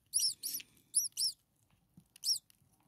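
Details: Six starling nestlings, a few days old and hungry, in the nest: short, very high, thin arched squeaks, four in quick succession, a pause, then one more.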